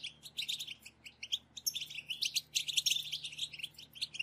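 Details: Several European goldfinches calling together, a chorus used to stir goldfinches into song: short, high chips at first, building into dense, bubbling twitters and liquid trills that grow louder toward the middle.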